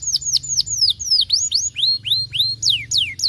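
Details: Canary song meant to get lazy canaries singing: a sequence of bright whistled notes, some sliding down steeply and others rising in smooth arcs, delivered about three per second.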